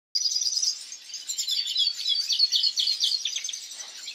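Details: European goldfinch singing a fast, dense twittering song of bright tinkling notes and short buzzy trills, run together almost without pause for about four seconds. The background is quiet.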